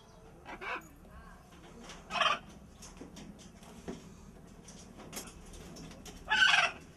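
Three loud, harsh, raspy squawks from a blue-and-yellow macaw, spaced a few seconds apart, with softer clicks and rustling in between.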